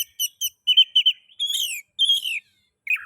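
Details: Oriental magpie-robin (kacer) song used to stir other magpie-robins into song: a series of about seven short whistled chips, then two longer buzzy descending whistles and a final harsh note.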